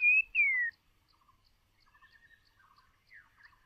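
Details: White-rumped shama decoy bird: two loud clear whistles, the second sliding downward, followed by faint softer notes in the background.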